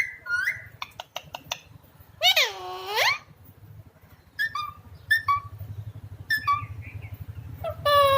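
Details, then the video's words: Talking Alexandrine parakeet kept indoors; quick squeaky chirps and clicks, then a drawn-out arching spoken word, followed by more short whistled squeaks and a final harsh note. "Best talking Alexander Parrot"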